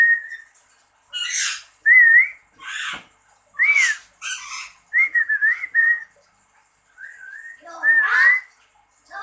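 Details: Lory, a kept bird answering its owner, giving clear rising whistled notes alternating with short harsh broadband squawks, about ten bursts over nine seconds with brief pauses between.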